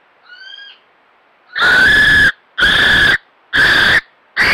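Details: A captive North Island brown kiwi at Te Puia in June 2022 gives a faint thin whistle, then four loud, harsh, shrill cries, each under a second, repeated about once a second.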